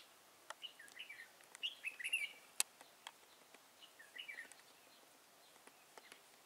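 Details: Red-whiskered bulbul singing during a trapping session in Thái Nguyên, Vietnam, on 13 August 2018, with a decoy luring an old wild bird; bright warbled two-to-four-note phrases, some rising and falling, scattered among sharp clicks and taps.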